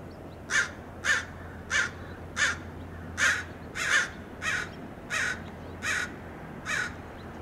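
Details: American crows mobbing a red-tailed hawk perched by a roadside in Del Monte Forest, California, diving at it; about ten harsh caws, evenly spaced roughly every two-thirds of a second, with a faint low hum beneath.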